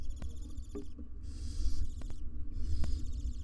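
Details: Live-cam nest box with a wild barn owl family of two adults and three nestlings: stuttering, rattled hissing followed by two long rough hisses, and sharp clicks over a deep hum.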